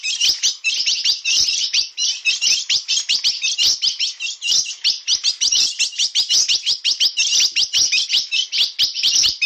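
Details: Ultramarine grosbeak of the bico de aço (steel-billed) form, "na pegada" song: about nine seconds of unbroken, fast, high-pitched chattering chirps with slight pulsing in volume, nothing else audible.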